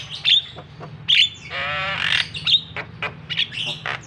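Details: Javan myna provoking call for a bird that will not sing: loud high squeaky notes, then a long buzzy nasal rasp about a second long, followed by irregular shrill chips over a low hum.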